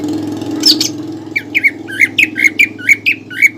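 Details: Caged greater green leafbird giving lure and training song with pelatuk bawang filler: a burst of high notes, then a rapid series of about nine short, clipped chirps over a steady low hum.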